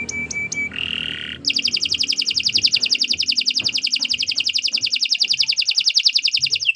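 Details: Canary song used as a tutor recording: a few short clicks and a brief nasal buzz, then a long, very rapid, even trill held for five seconds.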